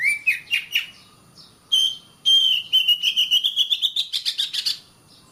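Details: Oriental magpie-robin song for training caged birds to sing: a few sharp upslurred chips, then a long steady whistle breaking into a quick repeated note series that climbs gradually in pitch.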